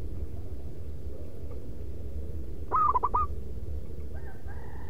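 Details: Single short phrase of about five quick, clear cooing notes from a zebra dove singing its loud, rhythmic manggung lure song. A low background rumble is heard, with a faint tone near the end.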